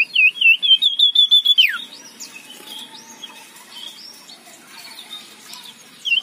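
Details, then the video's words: Aggressive male common iora giving harsh chattering used as a lure: a fast, rolling series of high, grating notes, about four a second, ending in a sharp downward slur, followed by fainter whistles from other birds. "cipoh jantan galak ngekrek suara kasar"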